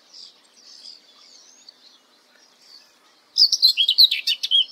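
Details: Common whitethroat song: after about three seconds of faint, distant high twittering, a loud scratchy, chattering burst of rapid notes begins and lasts over a second, with jerky rising and falling elements.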